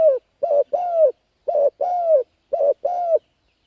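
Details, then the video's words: Spotted dove luring wild birds with three quick double coos, each a brief note followed by a longer gently dropping coo, clean and close. "Cu Gáy Thúc Gù Gáy Cực Phê Kích Mồi Tập Bổi Quá Hay"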